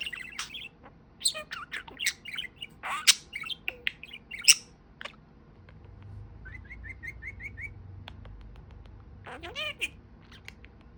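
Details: Pet talking parakeet (budgerigar) chattering with fast clicks and squeaky notes, then a soft even series of about eight short ticking chirps, ending in one downward-curving whistled note over a faint low hum.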